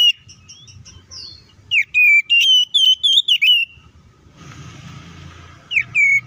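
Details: Kacer singing a fighting song meant to stir other white-rumped shamas into anger; rapid, sweet whistled notes in a quick run, followed by a burst of hissing noise and a final rising whistle.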